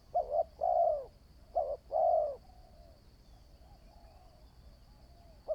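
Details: Spotted dove, a new decoy bird taken out for training for decoy trapping, giving two low coo phrases, each a short note followed by a longer drawn-out coo, then a faint clipped note at the end; quiet background.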